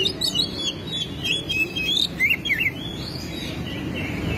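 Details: Kacer, the Oriental magpie-robin, a vigorous singer with tail opened, delivering its learned repertoire: twisting high whistled phrases and quick chirps at a moderate pace over faint background noise.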